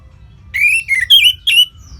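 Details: Orange-headed thrush, a caged bird from northern Bali, singing three clear whistled phrases with slurred, warbling notes between a short rise and fall, separated by brief pauses.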